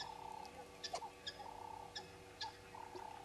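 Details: Red-billed hornbills calling at Djuma at 05:34 on 10/02/19, a throaty, pulsed purring chatter rolling in short bursts, broken by sharp higher chips from other small birds.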